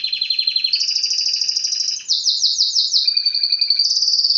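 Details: Canary song in scenic surroundings: a rapid pulsed trill, a rise into a higher sustained trill, a run of slurred swooping notes, then steady high rolling trills.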